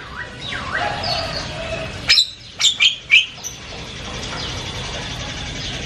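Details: Javan myna in loud, varied chatter: faint swooping whistles at first, then a sudden sharp click followed by three rasping, scratchy notes in quick succession before fading to background hiss.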